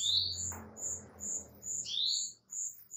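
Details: Female canary calling the male: high, short whistled notes in an even rhythm, plus two upward-sweeping notes, over a background of low murmuring noise.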